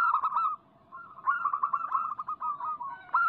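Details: Zebra dove, local type, singing as a lure for other doves: a loud rolling coo, a brief silence, then a long continuous stream of trilled, warbling coos ending in another loud note.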